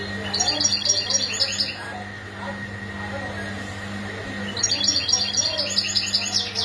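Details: European goldfinch mating calls used as singing stimulation to encourage males to sing: two bursts of bright, liquid twittering notes in quick succession, separated by a quieter gap, over a steady low hum and murmuring background.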